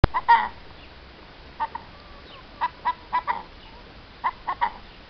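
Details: A hen clucks in short, mid-pitched notes, some single and some in quick pairs, spaced irregularly over a few seconds against a quiet background; recorded April 2015.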